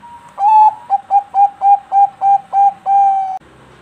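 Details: Bangkok-type zebra dove from a breeding farm singing a lure song meant to draw other zebra doves into song: a short cooing note, then about eight rhythmic, evenly pitched coos, ending in one drawn-out coo, then quiet.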